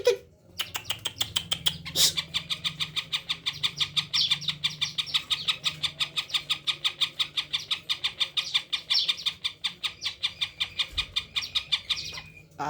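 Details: Long, fast series of repeated high chirps from a tame Greater green leafbird singing with plentiful isian once approached, notes steady and rhythmic for over ten seconds, with a faint low hum behind.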